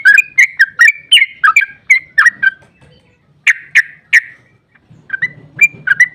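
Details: Trucukan, or sooty-headed bulbul, delivering a long excited ropel song to provoke other bulbuls: rapid rich whistles, a brief gap, three loud emphatic notes, then more whistles over a low rumbling background.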